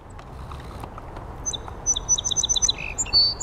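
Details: Song sparrow heard but barely seen at a marsh in Rosemère, Quebec: a quick, bright phrase of a couple of high opening notes, a fast trill of about six repeated notes, then a closing buzz, over low background rumble.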